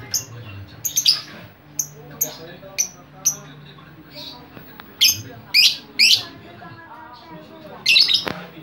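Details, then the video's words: Lovebird chatter meant to lure others of its kind: a series of sharp, high chirps, several swelling into loud rasping squawks toward the end, over soft twitters and a low hum. "LOVE BIRD CEREWET DAN Memancing LOVE BIRD Yang Lain Pasti Ngikutin"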